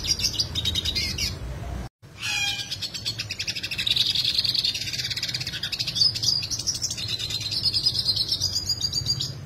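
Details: A yellow siskin sings a long, rapid, twittering song of sharp, high buzzy trills and rolls in its natural voice, presented as a tutor recording, unbroken apart from one brief cut.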